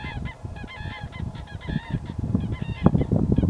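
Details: Flock of common cranes near Berlin, Germany, on 25 February 2016, giving overlapping, rolling trumpet calls in quick succession over a heavy low rumble of wind or distant traffic.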